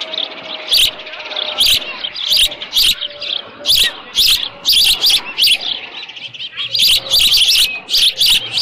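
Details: Osprey on the Dunrovin Ranch nest, 13 June 2018, near 11:37 AM with leftover fish; a long, uneven series of high, shrill chirps, some doubled, over a steady low hum.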